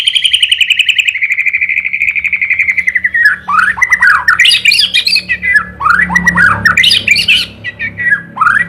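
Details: White-rumped shama song: a long, steady, buzzy drawn-out note for about three seconds, followed by a loud, varied jumble of rapid rising and falling whistles and harsh notes.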